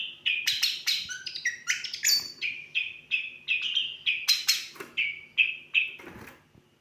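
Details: Long-tailed shrike singing a complex song filled with lovebird imitation: rapid, varied sharp chirps and short tweeted notes, some sliding, delivered almost three per second with little pause.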